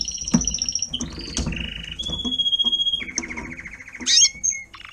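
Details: Timbrado canary, an adult tutor singer teaching young canaries to sing: sustained whistled notes and rapid buzzy trills switching between pitches, over a low background rumble.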